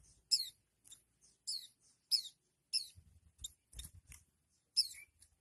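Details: Oriental white-eye in 'nembak' singing, said to make rival white-eyes give up: sharp, high, descending chirps spaced about every half second to second, with soft low rustling or chewing noises in between.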